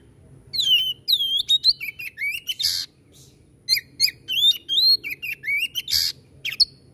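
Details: White-rumped shama pouring out dense whistled phrases full of swoops and sharp slides, punctuated by loud harsh rasps, singing nearly without pause.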